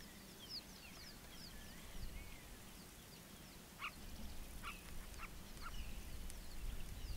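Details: Southern Carmine Bee-eater near Punda Maria Rest Camp, Kruger National Park, gives a few short, throaty clipped notes in the second half, with thin high chirps from other birds and a steady low rumble throughout.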